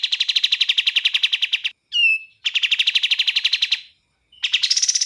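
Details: Bar-winged prinia (kapas tembak) song in clean audio with gaps: a quick trill of bright, high notes, a sharp downslurred whistle, a second matching trill, then a pause and a trill rising higher in pitch.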